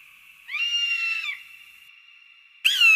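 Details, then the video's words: Eagle uttering a level, harsh scream lasting under a second over a lingering ringing tone, followed by the sharp start of a second, higher scream. "SUARA MASTER BURUNG ELANG || eagle and its distinctive voice"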